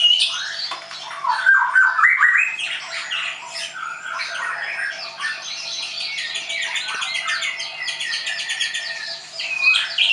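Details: White-rumped shama (murai batu), a caged bird trained at a Tangerang bird school in Indonesia, delivering a dense, varied stream of quick chattering and squeaky notes with brief whistled slurs, sustained for about ten seconds indoors.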